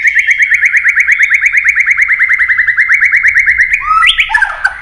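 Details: White-rumped shama in competitive song: a fast, even trill of short repeated whistled notes, about six per second, runs steadily for nearly four seconds before breaking into a few higher, twisting whistles.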